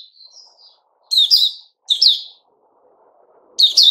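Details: White-rumped shama called Puteh Raja, singing 'buka' on 29 August 2021: soft opening warbles, then three separate loud phrases of sharp, descending whistles with buzzy overtones, spaced about a second apart.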